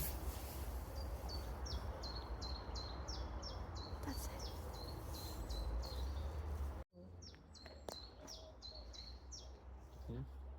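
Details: A chiffchaff sings in Saltwell Park in early spring, giving a steady string of sharp, high notes, about four a second, alternating between two pitches, over heavy low wind rumble.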